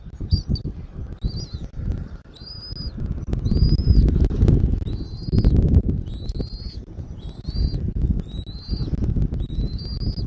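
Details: Eagle at a Southwest Florida nest, 13 January 2024, 14:17. A rapid sequence of short, high piping whistles runs in quick series, with about a dozen notes, over heavy low wind rumble.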